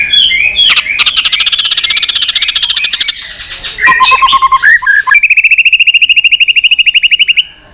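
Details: White-rumped shama in varied contest song. A fast, rattling series of repeated notes is followed by a few clear whistles, then a long, even, rapid trill of buzzy pulses that ends abruptly.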